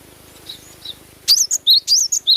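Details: Glatik batu, cinereous tit, natural sound: faint soft high notes at first, then abruptly loud, sharp, twisting whistled phrases in a quick series over the last second.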